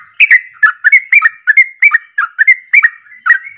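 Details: Sooty-headed bulbul giving heated ropelan song to provoke other bulbuls: brisk, regular chain of bright chirping two-note phrases, around two per second, clean and close.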